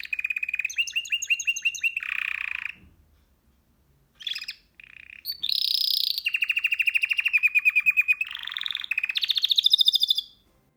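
A canary sings a long, high song of rapid trills and rolling phrases, each section changing pace and tone.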